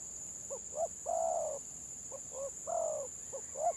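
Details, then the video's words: Village spotted dove in stuttering 'gagap' style: pairs of short soft notes lead into long throaty coos, repeated in a broken rhythm, with a continuous high electrical whine. "BURUNG TEKUKUR GAGAP VS GAGAP"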